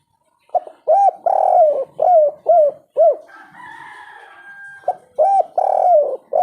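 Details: Spotted dove kept as a lure to get slow-singing birds calling, in a lively three-note coo style. Mid-pitched, arched coo notes come in a quick rhythmic series, with a brief break filled by a higher drawn-out tone and low noise.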